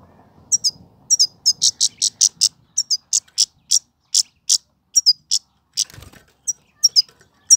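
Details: Himalayan goldfinch (European goldfinch) singing, possibly trained bird from Pakistan: bright, high, tinkling notes in a quick twittering run, several per second, some paired or slurred; a single low thump near the end.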